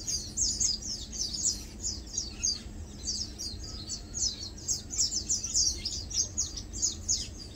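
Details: Lowland white-eyes (Zosterops meyeni), several birds resting, feeding and preening, give a steady stream of thin, very high, sibilant chips and twitters, overlapping, over a low rumble.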